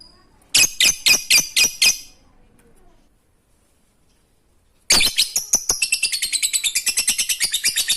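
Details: Lovebird in ngekek receh style, meant to prompt silent lovebirds to sing: six loud evenly spaced sharp chips, a pause of silence, then a rising burst of rapid shrill chattering notes.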